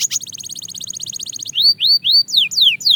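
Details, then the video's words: Belgian canary song at fast tempo: a dense high rattling trill of quick repeated notes for about a second and a half, then loud, widely spaced arching whistled slurs. "Shocking Canary Singing Progress – You’ve Never Heard This Before!"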